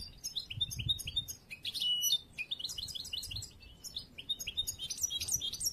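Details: Immature song of a young bruno amarillo European goldfinch from late this year, kept in training for song contests: continuous fast twittering with sharp high notes, buzzy trills and chirps running almost without pause, faint low room hum beneath.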